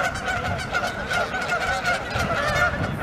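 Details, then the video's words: Canada geese coming out of a pond, fighting and charging at their flock, honk loudly and angrily, several harsh nasal voices overlapping continuously in an agitated chorus. "Canada Geese HONKING ANGRY Get into Fight with Flock"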